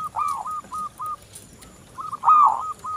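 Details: Local zebra dove cooing as a lure to set other doves singing: a stuttered rising coo, a few short even coos, then a louder, richer rolling phrase.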